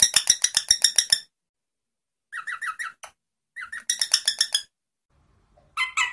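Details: Rosella song in bursts of quick, bright repeated notes, about nine per second. Short pauses separate the runs, and some phrases are lower and slightly slurred.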